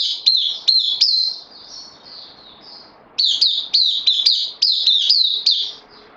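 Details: Caged bulbul, a newcomer on loan, recorded 12 September 2020: bright chirping notes, each with a sharp rising then falling stroke, sung in quick bursts of three or four, a fainter drawn-out warble, then a faster run of chirps.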